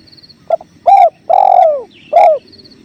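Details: Spotted dove master recording of one full cooing phrase: a quick double note, then a coo, then a long falling coo, then a final coo. Gentle river flow runs beneath, with a high trill from another bird.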